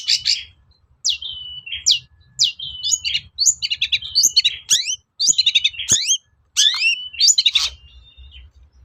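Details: Long-tailed shrike song played to stir other shrikes into answering: sharp rising whistled notes and hooked slurs, grouped into quick clusters, interspersed with steady thin whistles and a faint low hum.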